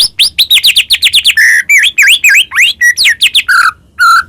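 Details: White-rumped shama song for provoking rival birds into singing, from a Medan bird in full varied song: quick run of high down-slurred whistles, then buzzy notes and swooping up-and-down phrases, ending with two separate short whistles.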